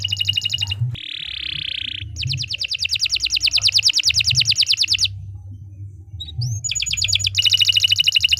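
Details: Canary delivering long song to train other birds: fast high trills in bursts, a buzzy rasping phrase, a short upslurred whistle, and renewed rapid rolling trills over a low hum.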